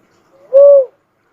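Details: A cuckoo-dove utters a single pure, flat-topped hooting coo of around 0.4 seconds after a soft rising lead-in, with a clean silent background.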